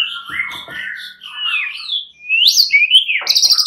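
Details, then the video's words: Fighter white-rumped shama, one of several agitated males answering each other, gives whistled slurred phrases rising from low to high, then sharp high notes and a brief harsh rattle at the end. "Hampir seluruh #muraibatu FIGHTER ikutan NYAUT GACOR dan jadi EMOSI"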